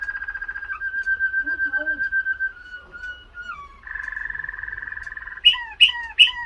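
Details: Waterslager canary singing a long, smooth, level rolling tour that dips slightly in pitch, then a fast pulsing water-like trill and three sharp descending whistled notes to finish.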